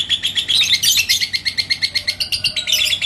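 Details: Ngekek chatter from a yellow lovebird in Indonesia answering a rival bird: rapid scratchy high pulses in an unbroken rattle with brief louder, harsher bursts, steady low hum beneath.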